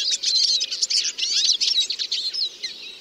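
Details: Eurasian siskin singing a short, very busy burst of high chattering twitters and trills that barely pauses.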